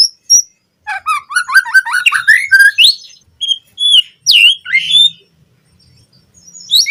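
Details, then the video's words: Full-fill white-rumped shama song used as a master recording for captive birds: a rapid run of rising chirps, then scattered loud swooping whistles and sharp slurred notes. "Pancingan Murai Batu Cepat BONGKAR ISIAN Buat Masteran Suara Burung Murai Agar Gacor Full Isian"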